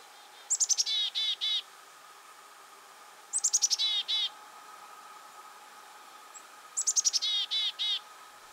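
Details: A chickadee, either Black-capped (Northeast) or Carolina (Southeast), gives three chick-a-dee calls, about three seconds apart: a few high, sharp introductory notes, then a run of husky, buzzy 'dee' notes.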